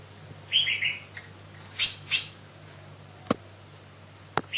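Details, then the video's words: Lesser green leafbird (Chloropsis cyanopogon), a cucak ijo mini, in active song: a low buzzy warble, then two bright, high piercing chirps, followed by two sharp clicks and a brief note at the end. "GACOR SI BURUNG COCAK IJO MINI /Chloropsis cyanopogon"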